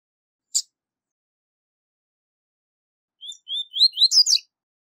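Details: High-level tui tui zel zel song of a double-collared seedeater, used for teaching young birds. After a sharp click there is one phrase: two or three short whistled notes near mid-high pitch, then a quick, rising, buzzy flourish. No other sounds.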